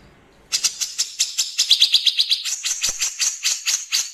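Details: Cucak jenggot, the grey-cheeked bulbul, in the 'nembak kasar' harsh burst style with pauses: a short quiet lead-in, then a fast, rasping volley of scratchy notes that briefly tightens into a clipped trill before continuing.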